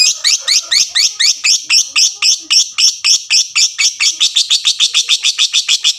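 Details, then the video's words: Lovebird delivering the prized long ngekek: harsh chattering notes repeated rapidly, roughly three to four a second, growing quicker and tighter toward the end, with a faint background hum. "suara lovebird tik tik tik lanjut ngekek ngekek panjang"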